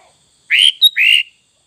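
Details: Sooty-headed bulbul singing in the full isian style. Two rich slurred whistles, each rising then falling, separated by a short sharp high note, forming one clear phrase over a silent background.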